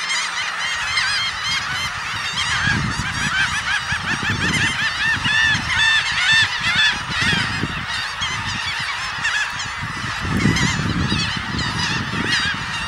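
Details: A large flock of red knots in New Jersey on 22 May 2010, with a few Dunlins, Ruddy Turnstones and gulls, gives a dense, overlapping chatter of short nasal calls, about two a second, over low wind rumble.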